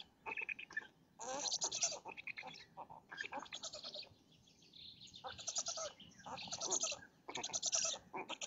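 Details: Black storks at a forest nest near Lodz, Poland, 05:46 on 30 May 2017, male delivering food to chicks and female. Loud, harsh, hissing bursts of rasping notes come in bouts, with short quiet gaps between them.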